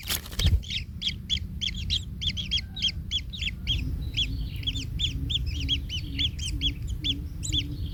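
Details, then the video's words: In a kingfisher nest where a parent treads on its chick, causing pain, a sharp knock opens, then a stream of scratchy, slightly rising calls, some doubled, runs over a low hum. "Anak Tengkek Terinjak Induknya Hingga Kesakitan"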